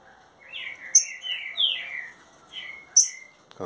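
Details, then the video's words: Caged green-winged saltator, newly arrived and kept 30 days, singing mansarrão-style song: a chain of rich, descending whistled slurs over two seconds, with sharp high chirps from other caged birds and a brief thump near the end. "trinca ferro mansarrão 30 dias já está matando tudo"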